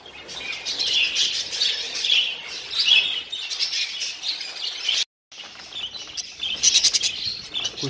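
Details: Many mutation budgerigars with growing chicks in a breeding facility chatter at once, a dense, continuous warble of high chirps and scratchy notes, with a brief cut near the middle.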